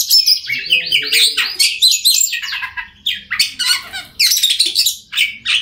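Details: Song of an Oriental magpie-robin meant to make mute birds start singing: harsh, scratchy chattering mixed with rapid varied whistles in continuous bursts.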